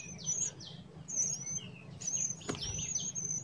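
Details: Wild Blood-breasted Flowerpecker uttering short, high, thin whistled notes, slightly rising, about once a second. A softer lower warble and one sharp click are heard, over a steady low rumble.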